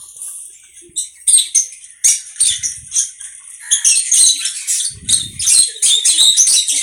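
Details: Conure chattering in quick, shrill, scratchy notes that grow denser and louder after the first second, forming a nearly continuous stream of harsh high chirps.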